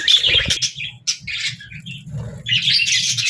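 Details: Budgies give a continuous high, buzzy chatter of short chirps and warbles, with a brief lull midway, over a steady low hum.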